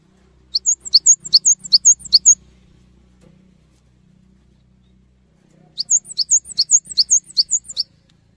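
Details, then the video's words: Two bursts of rapid, high, sharply whistled two-tone notes from a cinereous tit singing vigorously to provoke other tits into song, separated by a pause of about three seconds, with a soft low hum beneath. "GELATIK BATU GACOR | Bikin Gelatik Lain Cepat Terangsang Untuk Ikutan Bunyi"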